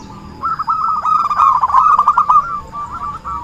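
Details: Zebra dove lure song for trapping: after a quiet start, a hurried run of clipped, tremulous coos peaks midway, then trails off into a few spaced notes.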